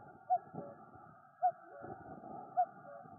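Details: Common cuckoo calling in the Noordduinen dunes near Den Helder, Netherlands: three short, soft hooting notes spaced about a second apart, over a steady low hum and faint rustling.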